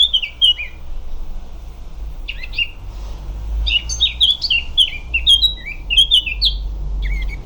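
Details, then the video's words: A Eurasian blackcap (Sylvia atricapilla) sings in quick bright phrases of clear, fluted whistles, starting with a few soft notes and then a rich run, over a low steady hum. "Ce chant est celui de la fauvette à tête noire."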